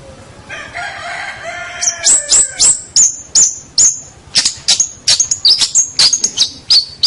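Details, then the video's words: Long-tailed shrike, a champion local bird, sings a tutor song. A soft warbling start leads into brisk, high, piercing chip notes repeated several times per second. "Kicau Masteran Cendet Master Pentet Juara Cendet Lokal Oke"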